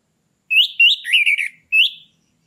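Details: Captive orange-headed thrush song used to stir a bird into breeding condition: short whistled phrases near mid-high pitch, a slurred warbling run, then a rising whistle after a pause; clean background.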